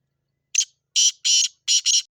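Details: Black francolin giving its harsh, rasping call: five loud, scratchy broadband notes within about 1.5 seconds, a short opening note, then a longer pair and a closing quick double, against a silent background.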